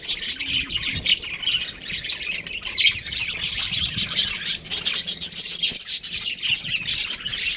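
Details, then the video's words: Breeding pair of budgerigars chattering nonstop, a dense stream of high, scratchy warbles and quick squeaky chirps overlapping throughout without any real pause. "Amazing budgie chirping sounds | budgies breeding pair"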